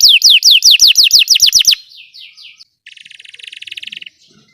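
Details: Belgian canary song, played to train other canaries to sing: a rapid run of about nine loud, descending whistled notes, then softer sliding notes and a fast, buzzy trill that swells in volume before fading.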